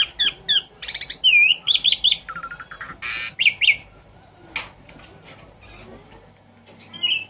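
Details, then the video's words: Captive Javan pied starling singing as a lure for a silent bird; a varied run of whistled, looping notes and buzzy bursts, busy for four seconds, then quieter scattered notes and a final whistle. "Suara pancingan burung jalak suren macet bunyi"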